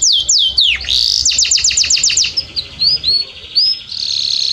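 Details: Belgian canary singing a long teaching song meant to open the fast song in other canaries: swooping whistles, a quick rattling series of clicks and notes, scattered upslurred chirps, then a steady high trill.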